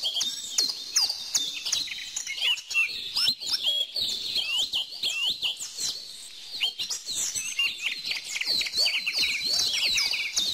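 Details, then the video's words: Birds chirping rapidly in an unbroken chorus, short bright notes and swooping whistles from several singers at once, mixed with sharp ticking sounds. "bird song"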